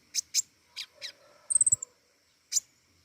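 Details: Pentis raja flowerpecker in vigorous song: scattered sharp high chips, then a thin, very high, slightly falling rapid trill of several notes, and a final lone chip.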